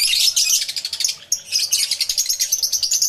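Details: Loud, dense chatter from many lovebirds kept in an aviary, recorded with a camera and two external microphones: rapid, shrill squeaking pulses run almost without pause, broken by one brief dip.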